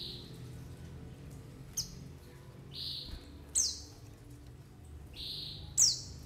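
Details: White-eye lure call for trapping and prompting birds to sing: sharp, high, downward-sliding notes alternate with softer, steady, lower whistled tones, about one every second, with a faint background hum.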